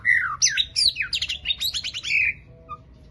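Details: A singing White-rumped shama in full voice: a rich, varied phrase of slurred whistles sweeping down, then rapid chattering notes and a final rising whistle, loud against a quiet room.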